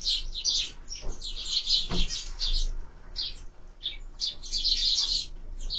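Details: At a bird feeder, sparrows keep up busy high-pitched chirping in clustered bursts, with one sharp knock-like sound midway and a soft low hum beneath.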